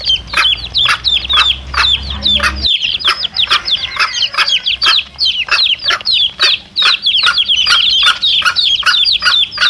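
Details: Chicks and their mother hen, sound used to attract wild junglefowl cocks: a steady chorus of shrill, downslurred peeps from many chicks, punctuated by regular sharp ticks; a low hum fades out after the first seconds.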